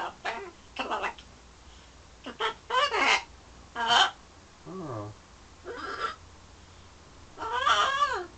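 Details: Parrot inside a London home courting its reflection and outdoor birds: rapid, varied chatter of short squawks, warbles and one descending low whine, with bursts every second or so and louder wavering notes near the end.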